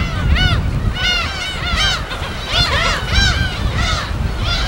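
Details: Gull colony on an uninhabited Korean West Sea island, field recording: rapid series of bright, arched mewing calls from several birds, closely spaced, with soft wave rumble beneath.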